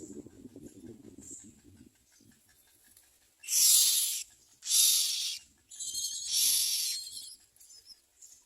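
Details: Myna chicks being fed by a parent, giving three loud, harsh, hissing rasps, each about a second long, after a quiet stretch of low rustling.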